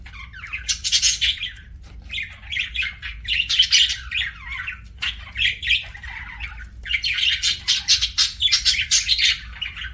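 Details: Pet budgerigar (parakeet) while eating: busy, scratchy chirping and warbling in dense bursts about a second long, with short pauses between them, over a faint low hum.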